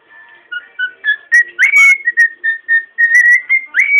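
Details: A pet cockatiel whistles the learned Match of the Day theme in clear, pure notes that step up and down around one pitch.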